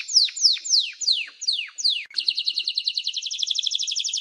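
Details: Canary singing six loud downslurred notes roughly every third of a second, then switching to a rapid, even high trill.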